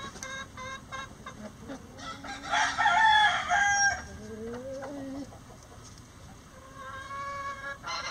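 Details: Rooster crowing before dawn while the flock flies out of the coop. Quick clucks come first, then a loud, hoarse, wavering crow of over a second, followed by lower drawn calls and another distant crow.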